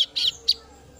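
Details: Young female kasu-kasu bird calling for its parent, giving three quick, piercing high chirps in about one second, with a faint steady hum behind.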